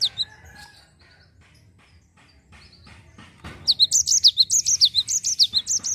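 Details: A Java sparrow gives its rolling 'ngerol' song to prompt untrained birds into song. After a lone opening note and soft rustling, a steady run of high, sharply rising and falling chirps fills the second half.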